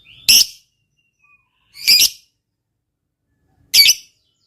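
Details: Lovebird fighter with a long ngekek chatter, used as a lure to get silent lovebirds singing: three harsh, piercing shrieks spaced about two seconds apart, with silence between.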